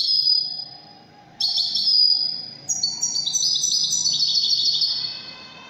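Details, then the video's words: European goldfinch of the Widani type singing a high, rapid, jingling song: a brief phrase, a short pause, then a long run of varied chirps, trills and buzzy notes. "تغريد طائر الحسون الويداني chant de chardonnere"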